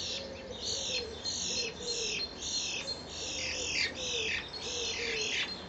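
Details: Two common starlings, fighting or mating, in April: repeated downslurred whistles and harsh buzzy notes about twice a second, over a steady low warbling note.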